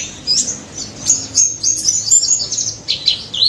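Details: High-pitched ngalas song of a white-eye, used as a lure for birds that will not sing: thin twittering notes and short whistled trills, pausing briefly mid-phrase before resuming.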